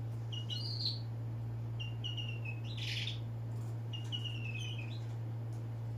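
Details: Bird calling with short sliding chirps in small groups, some falling in pitch, with a brief noisy burst midway, all over a constant low hum and hiss.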